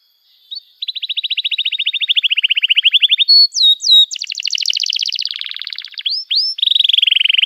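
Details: Long, emotional canary song used to coax young canaries into learning to sing: fast even trills that dip gradually, then sharp rising and falling whistles, a bright buzzy rattle and a closing rolled trill.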